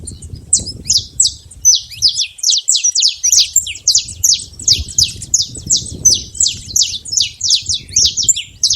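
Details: Saffron finch singing in the wild, free in nature. A dense, fast run of bright, high chips, about three per second, goes on without pause over a faint low background rumble.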